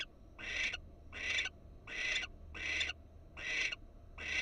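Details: Wild barn owl on a nest cam in Florida, with a female present and alert; six harsh, breathy hissing bursts, each about a third of a second, repeated steadily under a low background hum.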